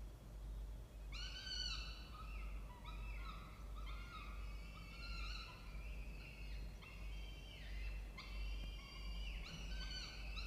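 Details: Peregrine falcons at a nest box in a water tower at Charles Sturt University, Orange, New South Wales, Australia, in October; harsh repeated calls with bright harmonic bands, coming in bursts about a second apart, over steady low rumble.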